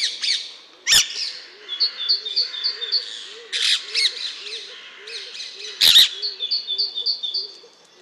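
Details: Alexandrine parakeet calling: three harsh, loud screeches near one, three and a half and six seconds, between runs of short repeated chirps and a low wavering tone from other sounds in the background.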